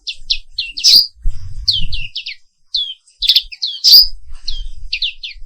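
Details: Morning song of the black-capped white-eye, known locally as Pleci Papua Wiklus: busy high chirps and downward-slurred notes in rapid runs, with sharp bright accents and soft low rustling in the background.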